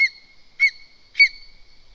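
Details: At a Latvian nest in Zemgale, a worried female lesser spotted eagle calls the male as a stranger bird comes close: three loud, ringing yelps, each briefly falling in pitch, spaced roughly half a second apart over a quiet background.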